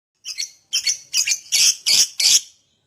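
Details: Lovebird sounds used as a lure to get other lovebirds singing: six harsh, buzzy chirps in quick succession, growing louder toward the end, bright and high-pitched.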